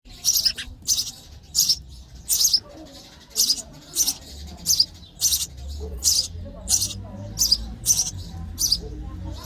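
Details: Sparrow chicks in the nest chirping for food while being fed: harsh, hissy high chirps repeated about every half second, fairly steady throughout, with low background rumble.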